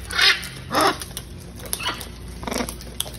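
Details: Wild macaws, hundreds gathered at feeding time, give two loud harsh broadband squawks early on, then fainter rasping calls scattered through the rest of the moment.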